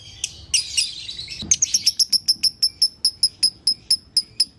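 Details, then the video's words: Lovebird in lively konslet song, for training other lovebirds: a few scattered squeaks and a rough chatter, then a clean series of high chirps about three per second. "LOVE BIRD GACOR ( KONSLET )"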